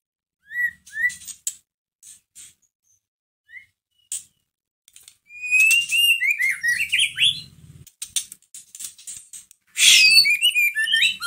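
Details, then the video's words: White-rumped shama song meant to provoke a caged shama: sparse whistles and clicks at first, then dense bursts of rapid, varied high twittering phrases. "Pancingan masteran pendongkrak emosi murai batu loyo langsung nyahut Gacor"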